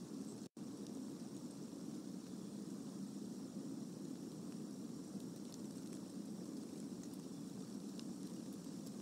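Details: Droning aircraft-like engine noise over constant hiss, with faint scattered ticks and a short dropout near the start, and no animal calls.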